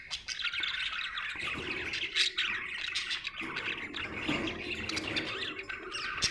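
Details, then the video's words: Budgerigar, called happy, chattering with a dense mix of scratchy squawks, warbles and brief sharp tweets, a steady busy babble throughout. "Happy budgie chirping sound"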